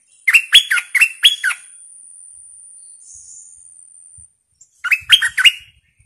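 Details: Captive decoy bulbul, described as fierce, recorded 18 July 2021, gives two bursts of lively chirped song. Each burst has four or five clear, bouncing notes. A few seconds of near silence separate the bursts.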